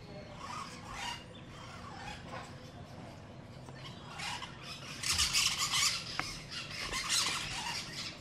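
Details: Brown-throated parakeets in Paramaribo, Suriname, recorded from a bedroom, giving harsh, scratchy screeches in quick, uneven bursts, loudest in a rasping flurry near the end, over a steady background hiss.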